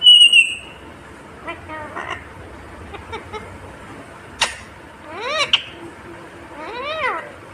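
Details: Loud high whistle opens, then soft murmured syllables, a sharp click and two arched, voice-like harmonic phrases from a talking Indian ringneck parrot.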